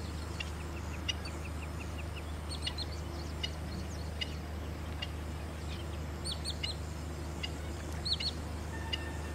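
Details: A nesting pair of black-winged stilts, far off at Hoskote lake, India, give sharp, yelping kek notes in quick runs and scattered downslurred yaps. The pair chases intruders and tends the nest, over a steady low rumble.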